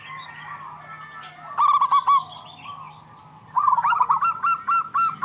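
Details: Local zebra doves trading songs as a lure for stressed birds; a soft, distant coo, then a clipped phrase, then a closer bird's fast run of ringing, even notes to the end, with faint clicks.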